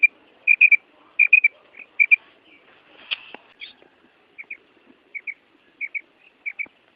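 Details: A calling female quail in breeding season gives sharp paired high notes in quick succession, then short rests, with a brief broader rustle midway before the twin-note pattern returns.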